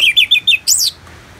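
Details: Ngeplong-style song of an Orange-headed thrush for bird therapy: four fast, bright slurred whistles followed by a higher arching phrase, loud and clean over soft background hiss.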